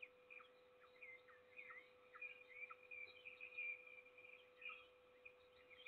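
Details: On 7 May 2022 in Trzebież forest district, Poland, a peregrine falcon feeds its single chick: thin, high, whistled squeals come in quick bursts with downward slurs, steady electrical hum beneath.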